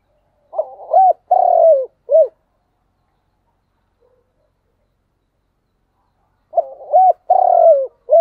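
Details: Spotted dove cooing in thúc gù style. The phrase comes twice, about six seconds apart, each a stutter, an arched note, a long buzzy falling coo and a short closing coo. Silence in between.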